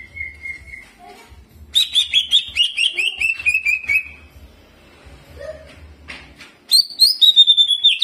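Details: Energetic greater green leafbird singing with ciblek mimicry and rolling: a thin held whistle, then a quick descending chatter of clipped notes, a brief lull with faint low notes, and a final burst of bright, sweeping high phrases.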